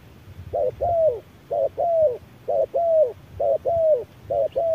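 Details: Under a harsh midday sun, a spotted dove duels with a decoy machine, sounding steady paired coos, a short hoot then an extended falling one, about five pairs in quick regular succession.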